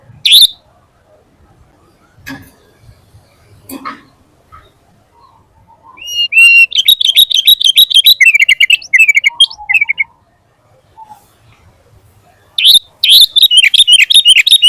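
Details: Sooty-headed bulbul in energetic song for training captive birds and calling wild ones; scattered notes and soft noises, then bursts of rapid chattering phrases, pause, and another burst.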